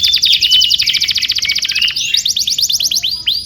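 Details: Canary tutor song for young canaries: a dense high rattling trill lasting two seconds, switching to faster repeated notes and a few upward-hooked whistles.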